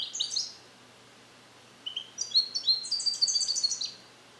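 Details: Captive-born male European goldfinch from 2021, song-trained with Neapolitan passages and recorded alone in a carrier. A short tinkling phrase is followed after a pause by a long, rapid, chattering run of high twittered notes.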